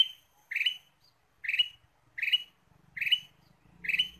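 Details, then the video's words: Five evenly spaced, harsh chirps about once a second from a vigorously calling ruby-throated bulbul lure, with a low hum growing in the background near the end. "PIKAT KUTILANG EMAS GACOR"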